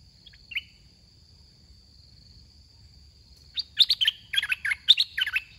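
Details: Red-whiskered bulbul kept in a cage for decoy trapping competition. A single short note is followed by a long pause, then a fast run of bright, bubbling warbled notes. A faint constant hum sits in the background.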